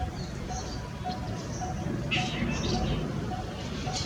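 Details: Monotonous hollow tonk notes from a coppersmith barbet repeat at a regular pace, partly masked by loud broadband background noise and scattered higher chirps.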